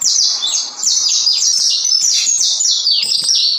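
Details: Unbroken stream of sharp, high whistled slurs from a saffron finch, brisk and rolling for nearly four seconds without pause.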